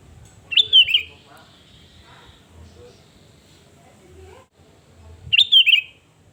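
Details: Sooty-headed bulbul in full, energetic voice, sound used as a lure to rile rival birds: two brief bubbly, warbling phrases of rapid rising and falling notes, about five seconds apart, with a quiet low hum between.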